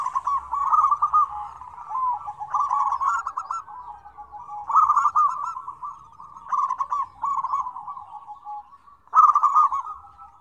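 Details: Several zebra doves calling together in a busy mixed chorus, used as a lure to prompt doves that rarely call. Overlapping rolling, trilled coos in bursts about every two seconds, forming a nearly continuous, layered sequence.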